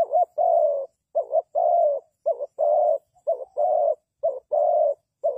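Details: A spotted dove serving as a trapping decoy repeats a low cooing phrase about six times: a wavering double note then a sustained coo, delivered steadily and close up.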